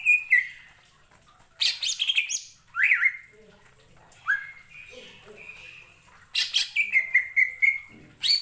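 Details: Varied song of a greater green leafbird aimed at provoking other leafbirds: clusters of chattering chirps alternate with clear slurred whistles and short rising notes, with brief quiet spells between phrases.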